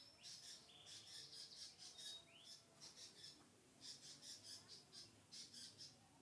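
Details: Pet lovebird chattering in high, sharp squeaks and short buzzy notes, with one rising slur early on and pulsed bursts repeated roughly every half second toward the end.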